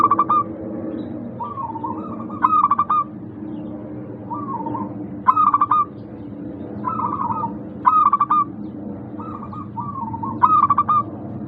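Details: Several local zebra doves in a lure recording for lazy caged birds: loud staccato cooing phrases about every two to three seconds, interleaved with quieter, rolling coos from other doves, against steady low background noise.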